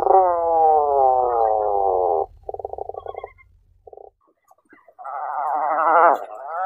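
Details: Long harmonic moan from a tufted puffin sliding gently downward for two seconds, then rapid pulsed stutters, a pause, and another rough, wavering moan that swells before breaking off.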